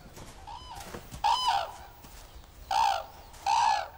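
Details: A noisy flock of red-crowned cranes gathering for breakfast gives loud, ringing trumpeted calls, which strengthen bonds between lifelong pairs and mark the landing zone for stragglers: three strong blasts about a second apart after a fainter one, over a low background murmur.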